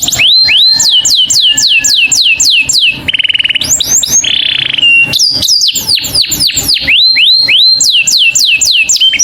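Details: Saffron finch calling to its companion, singing runs of clear, quickly repeated high slurred notes, broken midway by two steady buzzy tones before the fast sweeps resume.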